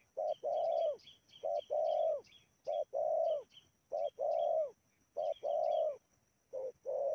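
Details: Decoy spotted dove calling to draw wild doves onto a lure site in Indonesia. It gives a steady run of paired coos, a short note then a longer mellow one, repeated about six times, while thin high chirps sound in the background.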